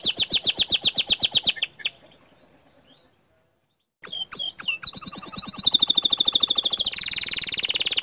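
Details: Canary in full gacor song: a fast rolling trill, then about two seconds of silence. Chirps and rising sweeps follow, leading into a long, even, high buzzy trill.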